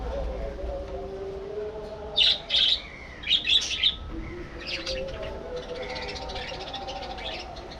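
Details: In a budgerigar breeding colony aviary, a burst of loud, bright chirps comes in two quick clusters midway, then fades to gentler warbling from the flock.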